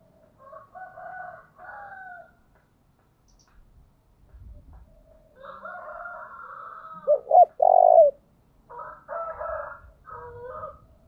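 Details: Spotted dove used as a decoy, calling: one loud, low, hollow cooing phrase near the end, with softer, fainter cooing phrases before and after it. No other clear sounds.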